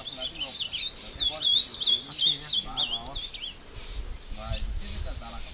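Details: Ultramarine grosbeak singing in the woods at Passos, Minas Gerais, Brazil, during a fight with a wild bird: a loud, fast warbled phrase of looping whistles lasting over two seconds, then quieter notes with human speech in the background.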